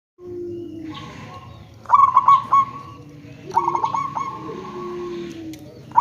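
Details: Local zebra dove calling as a lure meant to make other zebra doves answer: two bursts of quick, bubbling, stuttered coos, each note sliding down slightly, over a steady low droning hum.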